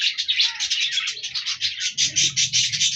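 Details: Colourful budgie parakeets, recorded 14 January 2024, give a quick string of rasping, pulsed chirps, about eight notes per second, loud and close.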